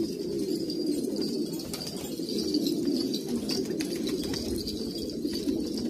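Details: A group of traditional pure-bred Kabul pigeons in Afghanistan gives a constant chorus of deep soft coos that blend into one burbling drone, with scattered light ticks and scratches.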